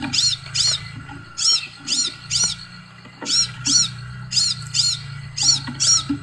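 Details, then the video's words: Scarlet sunbird singing: a series of bright, arched high notes repeated about twice a second with short pauses, over a steady low hum and faint background tone. "SEKALI PUTAR BURUNG LAIN IKUT NYAUUTT|| BURUNG SEPAHRAJA"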